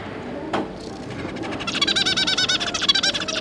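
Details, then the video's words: Zebra finch family of two parents and three juveniles, 5 August 2022: a brief click, then a loud rapid run of buzzy, nasal stacked notes repeated many times a second for nearly two seconds. "Zebra Finch - Jobby and Yongi, and their 3 juvenile babies"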